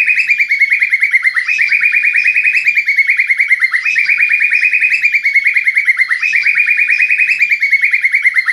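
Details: White-rumped shama in full song: a continuous, rapid, buzzy trill that rises and falls slightly in waves, with no pauses throughout.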